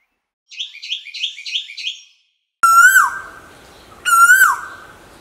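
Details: Asian koel calling, from a recording of male and female koels: a quick run of five bubbling, repeated notes, a pause, then two loud clear whistles that rise and fall, each followed by a ringing tail.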